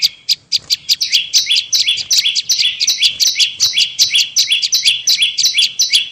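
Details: Lure call of a bar-winged prinia, dense insistent run of shrill descending two-note chips, nearly three per second, with sharp ticking clicks woven through.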